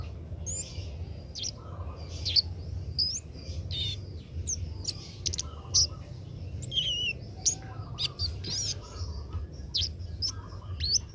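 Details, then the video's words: Juvenile Oriental magpie-robin learning to sing, producing a busy run of high whistles, slurred upward notes and clicks with short buzzy chatters between them, over a continuous low hum. "burung kemade muda belajar bunyi"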